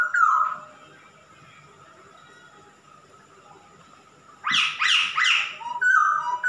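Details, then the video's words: Male masked laughingthrush singing eagerly: a brief whistled note, several seconds of near quiet with a steady hum, then loud harsh, rapidly repeated notes ending in clear short whistles. "Kicau burung Poksay Hongkong jantan gacor"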